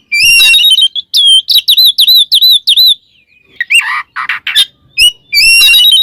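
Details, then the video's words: Oriental magpie-robin in ngeplong song, calling out a rival: loud clear whistled notes, each a sharp upward slur, repeated quickly in a steady run, broken by a few rasping bursts before the whistles return. "suara burung Kacer NGEPLONG memanggil lawan bikin emosi Kacer lain"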